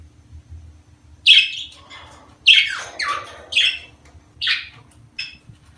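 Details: Breeding-season budgerigar calls, used to encourage females to lay eggs: five separate harsh chirps with buzzy tails, spaced roughly one second apart, over a low room hum.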